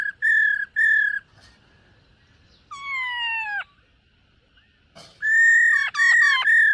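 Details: ['Black-throated laughingthrush training its voice in the morning: two short level whistles, a falling layered note, then long loud whistles broken by quick rising flicks.']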